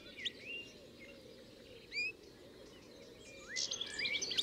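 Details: European goldfinch in early summer at Fobney Nature Reserve, Reading, Berkshire, UK: thin, high twittering chirps and short rising notes, scattered at first and then a busier burst near the end, over a steady low rumbling background.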